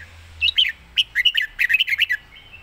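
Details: Red-whiskered bulbul in a quick-beaked 'zone' song style, a short rapid string of about ten bright, clipped, bubbling notes ending in a faint thin whistle.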